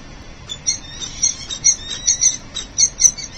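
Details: Falcon at a city-building nest during incubation changeover, when the male arrives early for his egg duty: a series of high, thin chittering notes, rising in intensity, over steady background noise.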